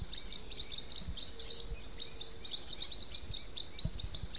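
Blue-winged parrotlets chatter continuously in high, scratchy twittering notes, several birds overlapping, with faint low thumps in the background.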